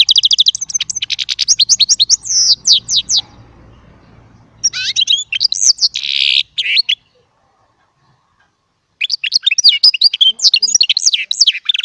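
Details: Small baster, a goldfinch hybrid, singing goldfinch-style song: bursts of fast, high, twittering and buzzy notes, separated by pauses of silence and ending in a trilled phrase.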